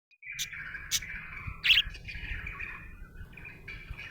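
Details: Happy budgerigar chirping: a continuous warbling chatter around a steady mid-high band, broken by brief sharp bright notes, with a low background hum.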